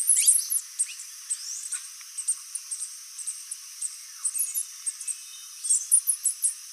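Opal-crowned Tanager giving thin, very high-pitched sibilant notes in short irregular bursts.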